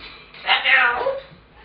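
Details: Caged pet African grey at home calling after its owner arrives from work, demanding its food: a single harsh, nasal, meow-like squawk lasting under a second in a quiet room.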